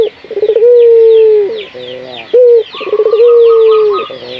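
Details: Local puter dove cooing as a lure to stimulate other puter doves to sing: a short low note, a quick stuttering run, then a long steady hooting tone, repeated twice, over dense high chirping of many small birds.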